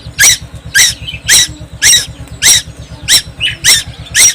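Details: Noisy young tuwu from Timor Island calling nonstop: sharp, rasping squeak notes come about every half second, with small chirps between them and a low electrical hum in the background.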